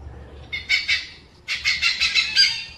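Oriental pied hornbill giving harsh, raucous cackling notes in two quick bursts, three notes and then about five, rapid and grating, with no other sounds.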